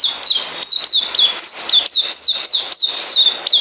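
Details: Caged white-eye recorded 9 December 2018, shortly before deworming, singing a loud high rapid song of bright down-slurred whistled notes, about three per second, run together without pause.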